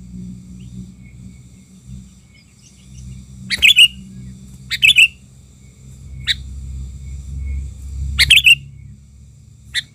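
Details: Sooty-headed bulbul as a lure bird, worked up while luring wild birds: several short bubbly phrases and single clipped notes spaced a few seconds apart, each phrase ending in a whistled upslur, over a faint low rumble.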